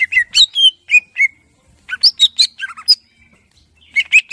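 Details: Clear-voiced song of the greater green leafbird, used as training filler for caged birds: bursts of sharp, sweet whistled notes and chirps in short clusters, separated by brief silences.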